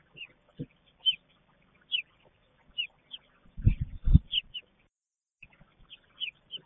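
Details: Female American robin feeding her newly hatched nestlings in their nest in Southern Ontario, Canada, on May 12, 2022, the young excited as food arrives; short high chirps repeat about twice a second, broken midway by low thumping rustles.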